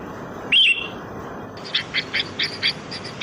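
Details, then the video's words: Sooty-headed bulbul lure sound: one clear whistled phrase, then a run of short bright chirps repeated about every quarter second over a hissy background. "Suara pikat burung kutilang"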